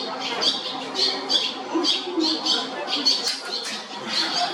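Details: Barn Swallow chicks nesting in the JR Shinodayama station building, Japan, give bursts of thin, high squeaks about once or twice a second over a faint low hum.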